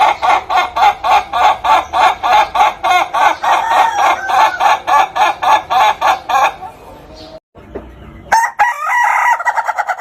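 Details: Ayam Ketawa laughing chicken rooster giving a long laughing crow of rapid staccato notes, about three or four per second, steady for over six seconds, then a brief pause and a shorter burst of quick notes.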